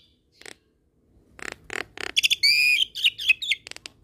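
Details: Asian pied starling training mix with Nias hill myna and a hybrid starling. Scattered clicks build into a loud harmonic buzzy note, followed by quick whistled and clicking notes.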